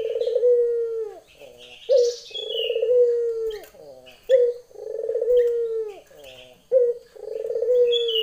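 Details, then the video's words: Female Barbary dove calling to a male, giving repeated two-part calls about every two and a half seconds: a clipped opening note followed by a long, even, purring coo. Thin chirps from other birds sound in between. "puter betina memanggil jantan.lenjeh"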